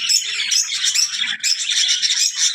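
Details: Continuous high-pitched twittering of zebra finches, rapid nasal chirps and squeaks from several birds overlapping, loud and steady with one brief dip midway.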